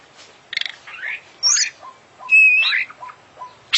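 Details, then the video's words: Oriental magpie-robin, a champion songbird from the Indonesian songbird hobby, sings a varied fill-in song: loud bursts of rattling notes, sweeping high whistles, and a long steady whistle with a bright overtone, separated by soft short notes. "Full Isian Juara Internasional Burung KACER Gacor"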